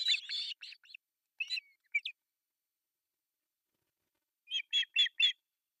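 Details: Three osprey chicks in a Finnish artificial nest, Pohjois Satakunta, at breakfast feeding, July 1, 2024, nest cam: a cluster of shrill chirps, scattered single notes, a long silence, then four evenly spaced sharp calls.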